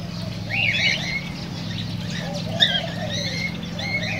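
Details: Cockatiel chorus used to stimulate breeding: several birds giving bright warbling whistles and chirps that overlap, with one sharp louder note midway, over a constant low hum.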